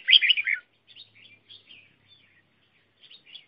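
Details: Decoy red-whiskered bulbul kept for trapping wild birds: one loud, liquid warbling phrase opens, followed by soft, scattered chirps at intervals in an otherwise quiet setting.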